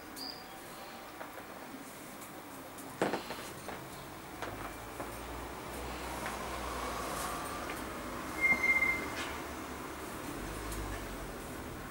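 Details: Steady rumbling rail noise with a few clanks and a brief high metallic squeal; no clear animal voice.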